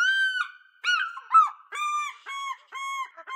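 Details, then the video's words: An African fish eagle calls out for its mate with rapid, clear yelping cries, each note curving up then down, about seven in quick succession, some slightly slurred into one another. "Fish Eagle - Calling"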